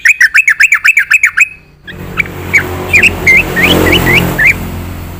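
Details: Yellow-vented bulbul in full-isian singing. A loud run of about ten rapid, bouncing, slurred notes is followed by quieter twisting whistled notes against passing traffic noise.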